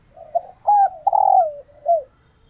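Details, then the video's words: Captive female spotted dove in laying condition, a call that excites males into cooing back to court her; low, mellow coos, a short soft note then longer hooting phrases with a drawn-out middle coo, in a quiet setting. "Tiếng Chim Cu Gáy Mái Chuẩn Kích Trống"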